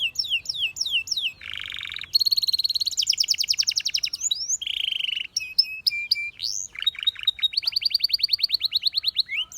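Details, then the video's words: Caged-style canary song for coaching other birds: falling whistles, a mellow low roll, bright rapid trills and sharp chirps, alternating in quick, varied phrases. "The Best Canary Singing Video Ever!"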